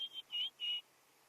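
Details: A White-browed Scrub Robin calling off to the side at Djuma, near Kruger National Park, South Africa, during a cloudy post-rain sunrise drive, 5/8/2016: three clear, high, steady whistled notes in quick succession against a quiet background.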